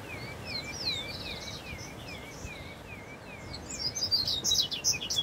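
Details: Wild double-collared seedeater singing in the bush: a steady run of clear, down-slurred whistled notes, each falling in pitch, about three per second. Brighter high chirps join near the end over a constant hiss of background noise.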